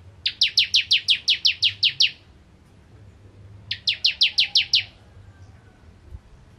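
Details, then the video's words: Bar-winged prinia of the crystal type delivering 'nembak ngentrok' song: two short bursts of rapid, evenly spaced high chirps, about ten notes then seven, separated by a pause of over a second. "Ciblek Kristal Gacor Nembak Ngentrok"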